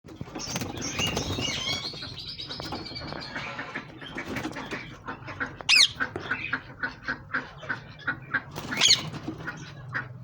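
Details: Pet Rose-ringed (green ringneck) Parakeets give two harsh, shrill screeches a few seconds apart over a steady background of wing flapping and rustling, with soft repeated clicks.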